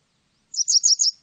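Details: Japanese wagtail singing: a quick, clean burst of five high, buzzy chirps run together in under a second, with no other sounds around them.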